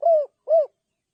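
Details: Spotted dove giving two brief, mellow coo notes about half a second apart. Each note swells and then fades, and the notes are followed by silence.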